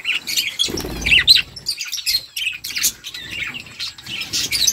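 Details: Budgerigar flock chattering as they eat, with busy high chirps and short squawks and a brief low rustle early on.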